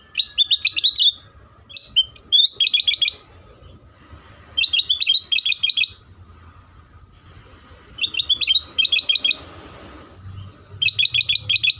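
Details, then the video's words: Sooty-headed bulbul singing as a lure for other bulbuls: crisp bursts of rapid chattering notes, each phrase about a second long, repeated every two to three seconds with quiet gaps between. "Suara Pancingan Kutilang Sutra"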